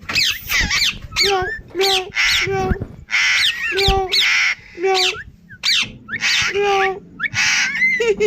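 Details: Pet Indian ringneck parrot uttering a run of harsh, choppy squawks mixed with lower nasal, voice-like notes, steady and dense for eight seconds.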